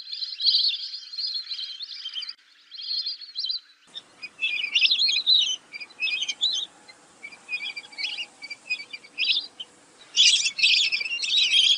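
Lesser whistling ducks give high, thin whistled notes in quick, chattering bursts, several birds calling together in rapid overlapping series.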